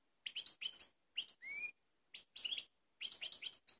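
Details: Goldfinch of the Balkanika type, Kumanovo, Macedonia, 16 March 2018, giving quieter clipped phrases: quick chirps, a clear rising whistled note, then more tinkling twitters in short groups.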